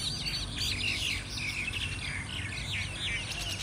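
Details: Group of mynas fighting together in Thailand; a dense, overlapping chatter of sharp, squeaky notes and short rising and falling whistles, steady throughout, over a low background rumble.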